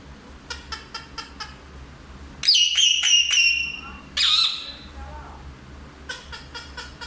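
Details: Parrot said to speak Hindi: two loud bursts of harsh, harmonic vocal sounds, the first broken into three quick pulses, the second a falling squawk, framed by soft, evenly repeated ticking clicks over a low background hum.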